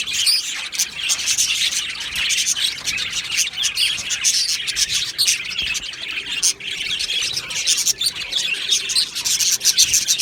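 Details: On 22 June 2025 an aviary full of budgerigars fills the air with bright, rapid chirping and warbled chatter, dozens of overlapping notes swelling and easing in short waves.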